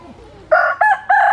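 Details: Brief rooster crow in three loud harmonic segments after a quiet lead-in.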